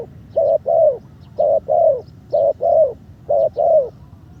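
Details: Decoy spotted dove in training on the ground, third session, improving well: four neat pairs of low, hollow coos, each pair a short note then a longer one, repeated about once a second.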